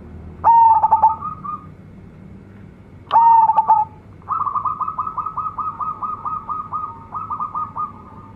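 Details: Local zebra dove singing actively with a big, luxurious voice: two loud stuttered coos ending in a held note, then a long, even, rolling trill of rapid pulses lasting over four seconds.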